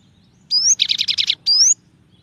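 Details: Cinereous tit (gelatik batu) 'tembakan' variation: a rising thin whistle, then a fast buzzy rattle of about six pulses, closed by another rising whistle, all loud and clean.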